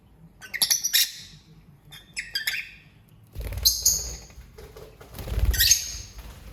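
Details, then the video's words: Lovebird singing and chirping: bursts of harsh, buzzy, high chirps and squawks in clusters, with rustling and low thumps between them. "Lovebird Singing & Chirping Sounds"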